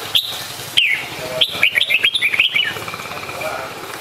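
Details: Red-whiskered bulbul calling: two sharp high notes, then a quick bubbly run of chirpy, warbled notes lasting over a second, fading into a faint hum.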